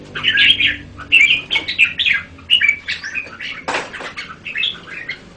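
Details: Caged red-whiskered bulbul delivering a continuous chatter of varied whistled and warbled notes, with a sharp rustle or wing flap midway and a low background hum.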